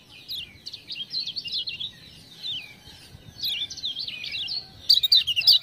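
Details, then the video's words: Lemon-bellied white-eye, Lombok, kept as a tutor bird for other songbirds and prompted by "ciak-ciak" sounds, delivering fast, jumbled high warbles in two long runs separated by a pause, then sharp clicking notes at the close. "Kecial Kuning joss gacor"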